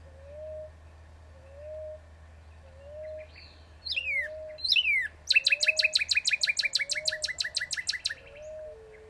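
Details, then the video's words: Northern cardinal singing two sharp down-slurred whistles, then a long rapid series of short repeated notes that slowly drop in pitch. A low, evenly spaced whistle from another bird repeats throughout over a low background hum. "Bird sounds northern cardinal sounds"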